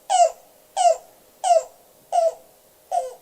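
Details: Yellow-billed cuckoo, a summer bird heard along the river and staying high in the treetops, gives five hollow, throaty, slightly falling notes spaced steadily about two-thirds of a second apart; nothing else is heard.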